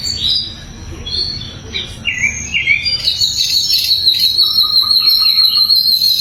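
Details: Sikatan londo flycatcher in full song, used as a training recording for other songbirds. Loud, clear, high notes: short whistled phrases and slurred notes, then a long buzzy trill held steady near the top, with fainter chirps beneath.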